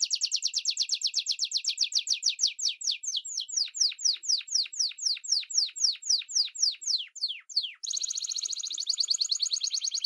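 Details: Canary in full song: quick pulsed high trill slowing into evenly spaced downward-sweeping whistles, about four per second, ending with a renewed rapid rolling trill.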